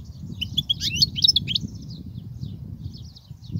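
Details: European goldfinch song meant to teach young birds: a short cluster of bright chirps and twitters early on, fading into faint, scattered high notes over steady low background noise.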